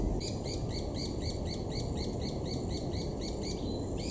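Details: White-eared Barbets mobbing a Black-collared Barbet relative, Imvubu Lodge, KwaZulu-Natal, South Africa, July 2019; a fast, even run of about sixteen harsh scratchy notes, roughly four per second, against a low rumbling background.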